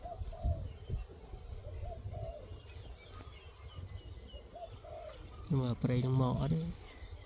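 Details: Decoy spotted dove used in trapping, calling to lure wild doves: soft low rhythmic cooing phrases in the first few seconds, thin high chirps of other birds throughout, then a man speaks loudly near the end.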